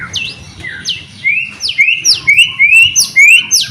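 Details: White-rumped shama song meant to lure other shamas into singing: clear high whistles drop sharply, alternating with short rising phrases in an even, lively rhythm.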